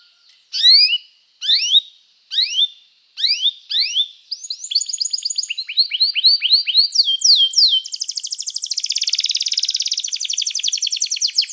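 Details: Canary song meant to call other canaries to sing and to train them: five spaced, downward-sweeping whistled notes, then fast buzzy trills and a long, dense rapid rattle at the end.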